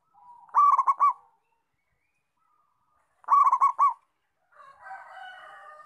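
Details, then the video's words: Singing local zebra dove: two bursts of quick bubbling coos with a sustained last note, about three seconds apart, followed by a rough, noisy rustling sound at the end. "Perkutut Lokal Gacor"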